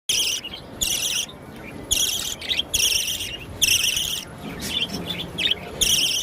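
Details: A young pet budgerigar chick gives harsh, raspy chirps in short bursts, repeated roughly once a second.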